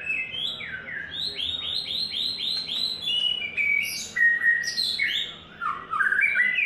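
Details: White-rumped shama, third molt, singing the "Imagine" song: a fast series of about eight arched whistled notes in a row, followed by sharp high upslurs and a rich falling flourish, loud and continuous.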